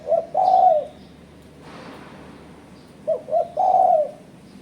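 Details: Spotted dove call used as a lure to challenge rivals: two short low coos then a longer drawn-out coo falling at the end, the phrase repeated after a pause with a brief noise burst between.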